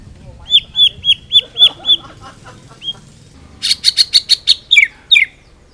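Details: White-rumped shama singing a full-repertoire song for training other birds: six clear, even whistled notes in a row, a pause, then a burst of sharp buzzy clicks ending in two falling whistles.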